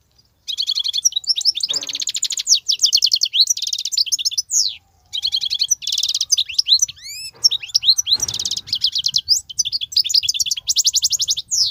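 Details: Wild goldfinch's unbroken song, described as 'batbatat' singing: long tumbling runs of bright, high twitters, rapid buzzy trills and down-slurred whistles that follow one another with only brief gaps for nearly twelve seconds.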